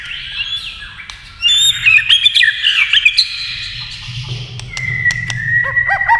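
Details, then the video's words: White-rumped shama provoked to sing against a TV: a quiet start, then a loud burst of rapid, varied whistles and chatter, ending in a sustained whistle with quick repeated notes and a low hum underneath. "kích chòe lửa hót đấu với tivi cực căng lửa"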